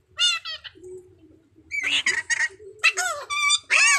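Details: Blue-naped parrot and racket-tailed parrot duetting: two parrots trade harsh, nasal squawks and screeches in short bursts, some rising and falling, with softer low chatter between the loud calls.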